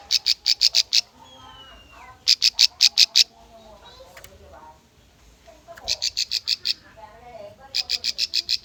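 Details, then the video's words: Bar-winged prinia song used as a lure to train young birds: four bursts of five to seven sharp, high, evenly spaced notes, separated by pauses with faint lower warbling in the background. "PANCINGAN SUARA CIBLEK AMPUH COCOK UNTUK BURUNG BAHAN"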